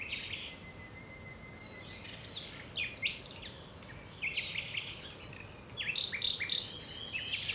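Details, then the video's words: Common nightingale producing a long thin steady whistle followed by a busy string of chirps, clicks and buzzy notes, closing with pure repeated whistles, over faint low hum. "Nightingale singing"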